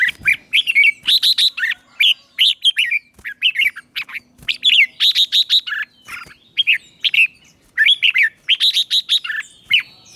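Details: Red-whiskered bulbul singing its trained morning song, 'chè' style: a continuous lively stream of loud, bright whistled and warbled phrases, each a quick cluster of rising and falling notes with short gaps between.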